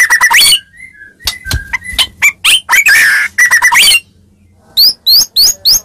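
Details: Fighting-lure song of a Medan white-rumped shama, played to make other shamas answer: clear whistles sliding up and down, sharp clicks, a loud warbled phrase, then a quick series of high upslurred notes.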